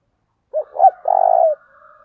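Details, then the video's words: Spotted dove kept as a decoy, giving its calling coo in the thổ đồng voice style: a soft hoot, a rising-falling note, then a long, evenly pulsed purring coo, with a faint reedy sound trailing after. "tiếng cu mồi thúc bổi căng đét/ Tiếng cu gáy mồi chuẩn gáy gọi"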